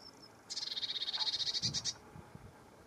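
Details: Brief high note, then a Lesser whitethroat's dry, chattering rattle of about fifteen rapid pulses lasting under one and a half seconds, followed by faint low rustling.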